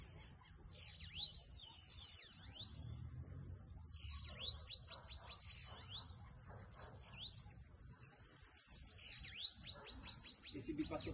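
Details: High, wheezy bananaquit song used to excite a caged bird, thin sweeping notes and rapid ticking trill bursts over a continuous shrill tone, growing louder toward the end.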